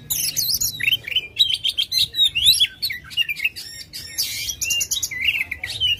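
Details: Oriental magpie-robin singing aggressively with its tail spread, as a lure to make a lazy bird sing: a fast chain of short up-and-down whistled notes, about four a second, broken by a harsh buzzy rattle.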